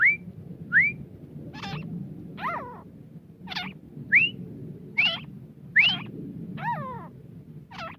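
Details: Grey francolin of the desi type calling with a mix of sharp upslurred whistles and lower, wavering, falling notes, delivered irregularly about once a second across the stretch over a steady low background hum.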